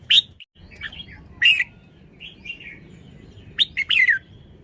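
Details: Red-whiskered bulbul delivering bright, warbling whistled phrases: an opening chirp, a loud rising-falling phrase, soft twitters, then a closing run of three quick liquid notes.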